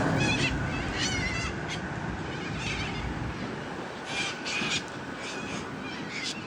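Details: A white cockatoo gives harsh, raspy screeching calls in short broken bursts, a few in the first one and a half seconds and a tighter cluster between four and five seconds, over a steady low background hum.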